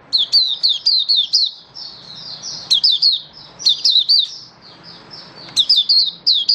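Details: Malaysian mata puteh, an oriental white-eye kept as a songbird, singing in open style: rapid high chirps with sharp downward slurs in clustered bursts, alternating with quieter continuous high warbling, steady and loud throughout.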